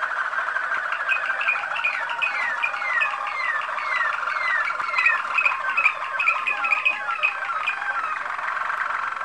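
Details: Waterslager Malinois canary of champion ancestry, Kumanovo, Macedonia: a long flowing song of repeated descending whistled slurs over a continuous rolling trill, notes running at a quick, fairly even pace.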